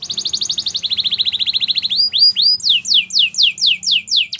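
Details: Canary song meant to teach other canaries: fast rolling trills at two pitches, then rising chips and a run of loud descending whistled swoops repeated about twice a second.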